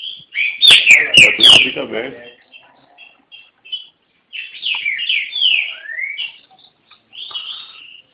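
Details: Caged green-winged saltator from Garça, São Paulo, Brazil, with loud knocking and a man's voice at first, then a series of short whistles and fluid descending whistled phrases.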